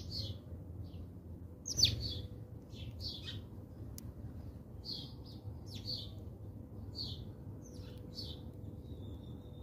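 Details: At a South African bird feeder, house sparrows chirp repeatedly: short, high notes roughly every half second to one second, one louder burst early on, with a low background hum throughout.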